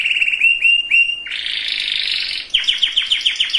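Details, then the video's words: Canary singing to stir breeding readiness in hens and males, with repeated upswept whistles, a dense buzzy rolling passage, then a quick series of sharp descending notes. "اقوى وافضل تغريد كناري لتجهيز الاناث وتجهيز الذكور canary singing"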